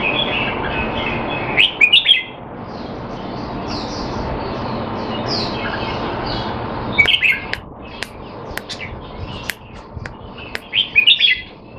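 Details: Singapore-kept caged red-whiskered bulbul during training, reported out of form, 25 December 2020; spaced bursts of sharp chirped phrases early and late, sharp clicks and taps between, over a low humming background.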